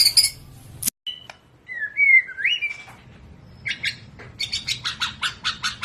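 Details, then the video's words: Agile white-rumped shama singing: a sharp high note and a short silence, then lower rolling whistled slurs, ending in a quick series of bright, buzzy repeated chips. "Kelincahan MURAI BATU SUPER dalam berkicau"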